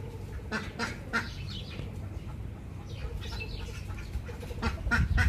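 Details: Ducks quacking: harsh, broadband nasal bursts come in quick irregular runs of two or three, with short pauses between groups and a low background rumble.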